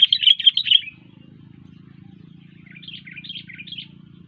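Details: A chirpy sooty-headed bulbul gives a loud burst of fast, bubbling warbled notes. After a short gap comes a softer, lilting phrase of rising and falling notes, with a steady low hum in the background.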